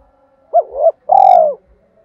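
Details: Fragment of a spotted dove's 'thổ'-voiced challenge call, given to incite fighting: a double-humped coo followed by a long, vibrating, slightly falling purr.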